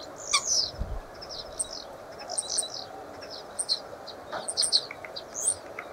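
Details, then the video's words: Common starling chattering in short, squeaky, high-pitched bursts broken by brief pauses, with sharp clicks and a steady hiss underneath. "Čvorak / A Common Starling"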